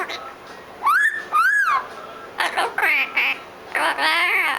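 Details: A young blue-fronted amazon parrot, about seven months old, giving morning chatter; two rising-and-falling whistled arcs followed by a series of harsh, raspy squawks and babbling notes, loud and close.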